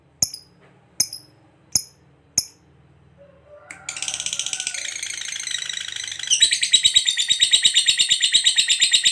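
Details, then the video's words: Lovebird ngekek, a long trilling song used as a master recording for training other lovebirds: a few sharp chips, then a dense rapid chattering trill that builds louder and faster toward the end. "Lovebird ngekek panjang real 2 menit"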